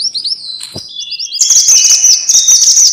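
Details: Minivet (mantenan or sepah) utters rising, high chirps and a level thin whistle, then breaks into a loud, dense, shrill twitter that continues to the end.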